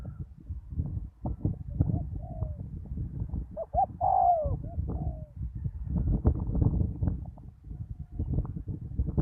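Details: Decoy spotted dove on open ground after a storm gives a brief cluster of deep, throaty coo notes, one louder and rounder than the rest. Heavy low-pitched wind rumble and clattering noise continue throughout.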